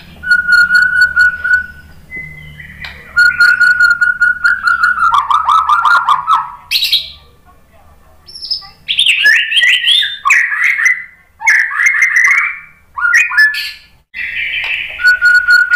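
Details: White-rumped shama song meant to provoke other shamas: varied phrases of steady whistles, rapid descending trills, harsh high bursts and warbled runs, separated by short pauses.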